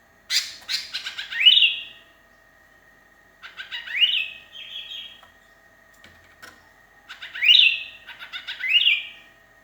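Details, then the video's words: Lonely sooty-headed bulbul singing and calling companions, used as lure sound: bubbly phrases of quick notes ending in rising, slurred whistles, repeated in three groups, over steady electrical tones. "kutilang kesepian gacor mangil kawan jos buat pancingan"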